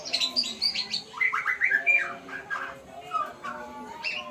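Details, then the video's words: White-rumped shama practising sounds: quick series of short high whistles and chirps, about four per second, then softer sweeping notes. "Murai pastol belajar Bunyi"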